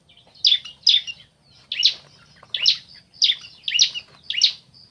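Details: Bar-winged prinia male and female answering one another: loud harsh chirps repeated roughly every half second, a brief pause after the first pair, otherwise quiet background.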